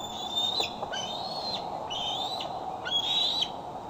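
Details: In evening light at Decorah, 12 July 2011, a female bald eagle wearing a newly fitted transmitter perches on her branch before a nest cam: four high, thin whistled calls, rising a little and ending with quick downward slurs.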